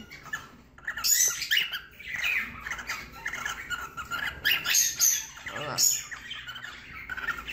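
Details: Female cockatiel raising her tail and soliciting mating, a normal behaviour rather than illness: a run of high, scratchy chirps and squawky notes in irregular bursts, with a person talking quietly in the background.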